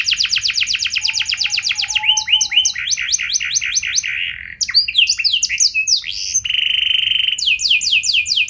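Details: Richly varied canary lure song in the cengkok mewah style, meant to spark singing in other canaries: a fast trill, choppy clipped notes, a held buzzy tone and sharp whistled sweeps, switching patterns every second or two.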